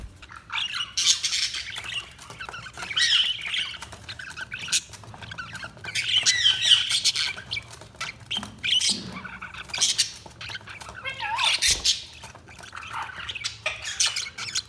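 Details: Several budgies chirping together in a continuous busy chatter of scratchy, squeaky and warbled notes, rising and falling in loudness throughout with hardly any pause.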